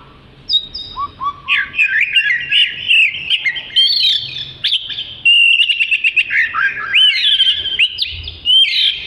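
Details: Oriental magpie-robin, a black-and-white long-tailed songbird, in loud varied song: sweet rising whistles, sharp slurred notes and rapid chattering trills strung together without pause, bright and high-pitched throughout.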